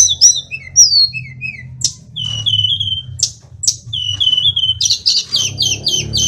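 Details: Indonesian sulingan gunung (tledekan), a flycatcher-family songbird, in full song: clear drawn-out whistles, some falling, others level, broken by sharp clicks, ending in quick repeated high chirps over a soft low hum.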